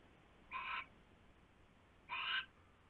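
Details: Owl at its nest just after midnight on 27 January 2016, filmed by a live nest camera as a huge rat is brought in; two harsh, hissing screeches of about a third of a second each, spaced 1.5 seconds apart.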